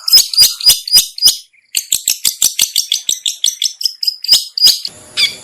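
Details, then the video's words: Long-tailed shrike lure recording, used by trappers to draw in other shrikes: rapid harsh, clicking chirps repeated about three times a second with a brief pause, then a scratchy burst at the end. "suara pikat burung cendet/pentet/toet toet"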